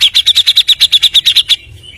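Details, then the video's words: Grey-cheeked bulbul, recorded as a lure in fast nonstop song: a steady rapid trill of about fourteen bright, sharp notes at roughly eight per second, ending abruptly. "PANCINGAN BURUNG CUCAK JENGGOT GACOR FULL MBESET SPEED TANPA JEDA NEMBAK MEWAH"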